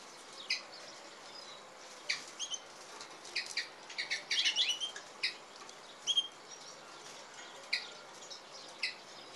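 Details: Goldfinch and canary hybrid singing: scattered high chirps and short twittering notes, with a denser warbled burst around the middle, against a quiet background hiss.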